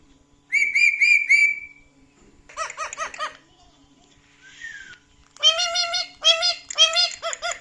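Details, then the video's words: Indoor pet male parrot laughing out loud at his own clips: a fluttering whistled trill, then bursts of throaty, stuttering laugh-like notes in quick groups with a brief falling whistle between. "The Talkative Parrot's Reaction to His Funny Clips: Watch Him Laugh Out Loud"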